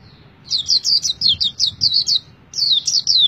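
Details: White-eye singing in captivity, a quick run of high sharp downslurred chirps in close succession, a brief gap, then another burst of piercing twittering notes; quiet low background hum.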